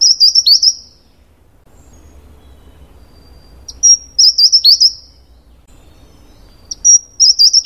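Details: Taiwan wren-babbler (Pnoepyga formosana), a Taiwan endemic of mid- to high-altitude natural forest floor, singing a short burst of five or six very high, thin, sharp notes about every three seconds; faint low rumble between phrases.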